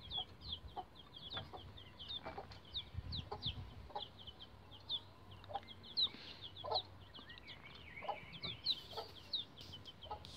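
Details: Bantam Rhode Island Red chicks about 11 days old, climbing a chicken ladder. High, thin peeps, each sliding downward, repeat rapidly and almost continuously from several chicks. Soft low clucks and faint rustling sound underneath.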